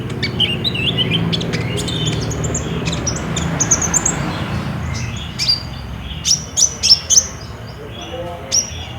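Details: Olive-backed sunbird singing as a lure recording to set off caged birds, phone-recorded: thin, high twittering notes and short slurred phrases, then a few loud, separate piercing chips, over a low background hum.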